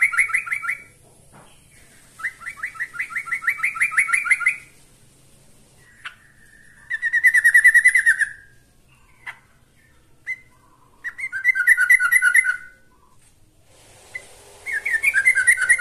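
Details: Yellow-vented bulbul (trucukan) calling a rival: several separate bursts of rapid bubbly chattering, interspersed with single short notes and quiet gaps between phrases.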